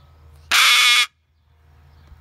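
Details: Captive rescue umbrella cockatoo screaming in anger at loud construction machinery across the street: one harsh, very loud, broadband screech of about half a second, then quiet with a low mechanical hum underneath.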